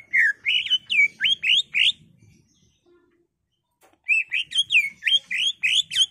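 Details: Agitated caged greater green leafbird in full song, played to provoke another bird to sing: loud rising and falling whistled notes in quick series, a pause of two seconds, then another fast run of varied whistles.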